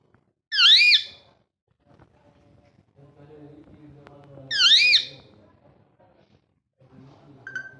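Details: Ringneck parrot kept at home, talking and having fun: two loud, shrill, wavering screeches about four seconds apart, with soft low chatter between them and a brief whistled note at the end.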